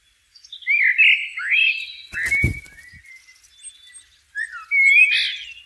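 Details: Singing blackbird in the wild: mellow fluted notes sliding down then up, a soft thump in the middle, and a final phrase ending in a bright squeaky flourish.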